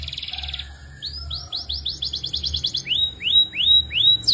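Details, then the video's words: Belgian canary in full song: a short buzzy trill, then a run of quick upward-sweeping whistled notes about five per second, slowing into broader rising-falling slurs; low steady hum in the background. "canário belga cantando muito um show de canto"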